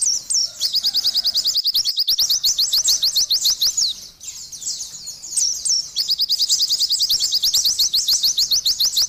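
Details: Oriental white-eye singing vigorously, used as a lure and therapy for stressed or silent captive birds: long bursts of rapid, high, thin chirps repeated about three per second, briefly pausing midway, then resuming the quick twittering run.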